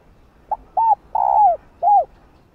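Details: Female spotted dove cooing to call and urge on a male: one full phrase of a short soft note, a clear arched coo, a long rough rolling coo, then a final arched coo, in a quiet setting.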